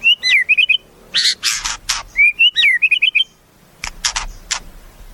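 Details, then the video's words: Singing white-rumped shama repeating a quick, twisting whistled phrase twice, broken up by sharp, loud clicking sounds. "Suara Murai"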